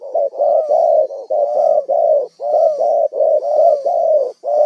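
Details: Spotted dove, a wild bird used as a decoy for trapping, giving a rapid unbroken run of throaty coos, about two per second, loud and close.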